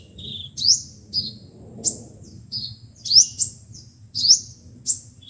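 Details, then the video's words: Sunbirds, five-colour and seven-colour, singing in playback meant to draw birds into traps: bright high rising sweeps alternating with short lower buzzy notes, about six bursts, faint low background rumble. "Tiếng chim hút mật 5 màu và 7 màu dùng để bẩy loa"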